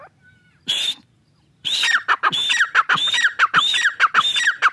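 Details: Grey francolin, known locally as Dakhni teetar. A short harsh burst, a pause, then a rhythmic run of loud, squeaky, metallic phrases. Each phrase pairs a high ringing note with a lower downslurred note, repeated about every half second.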